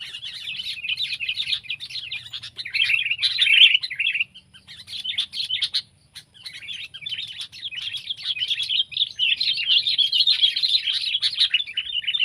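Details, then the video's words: Sooty-headed bulbul (kutilang), Indonesia, pet versus wild comparison: irregular bursts of busy chirping, a near-silent gap around four seconds, then a long energetic run of twittering notes with faint low background noise. "Burung Kutilang Peliharaan VS Burung Kutilang Liar!"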